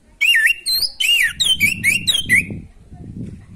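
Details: Rich, varied song of an orange-headed thrush aimed at a bird short of breeding drive: loud warbled whistles with twisting loops and high overtones, about seven phrases packed closely together, then quiet.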